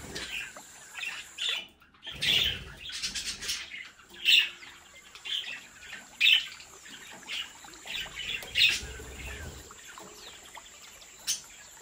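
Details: A captive breeding flock of budgerigars calls with repeated bright chirps roughly every two seconds, interspersed with busy chattering, fluttering noises and a brief quiet gap.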